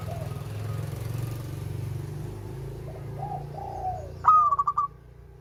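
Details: Local zebra dove giving one stuttered cooing phrase of quick bubbling pulses near the end, preceded by soft lower calls, against heavy low rumbling background noise like passing traffic.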